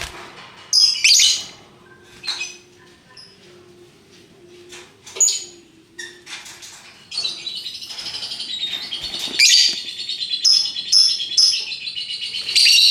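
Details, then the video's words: Lovebirds in many colours: scattered sharp chirps and squeaks at first, then a steady, dense, high-pitched chattering trill from about halfway on, with shrill accents rising above it. "Burung Lovebird Rupa Rupa Warnanya, Burung Paruh Bengkok, Bunyi Ngekek Gacor"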